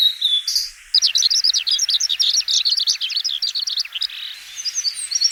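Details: Little grebe in spring to early summer gives its high, rapid whinnying trill of quick chirping notes for about three seconds, with a few faint chirps from other birds before and after.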